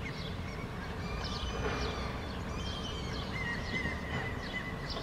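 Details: Common gull (Larus canus) standing on one leg on a rooftop in Helsinki, Finland, in June 2013, giving high, thin mewing calls over a steady low rumble.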